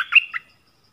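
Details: Yellow-vented bulbul lure recording, 20 March 2021: a single brief burst of two or three liquid, chirping notes, rising then dropping, followed by silence.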